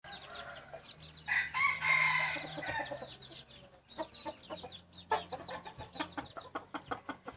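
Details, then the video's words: Red junglefowl hybrid rooster giving one loud crow of about a second and a half: a harsh, broad, drawn-out call that fades, followed by busy clicking and rattling background noise. "Qaib qus txuam zoo nraug thiab qua tau zoo tshaj plaws ไก่ป่าลูกผสมเสียงขันดีมากๆ เสียงขันอมตะ"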